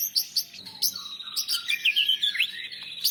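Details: Champion-grade white-rumped shama song used to tutor other birds, carrying mimicked material of Cilalilin, canary and lovebird: a dense, continuous stream of high chirps, sweeping whistles and quick warbled notes with steady rhythmic pulses.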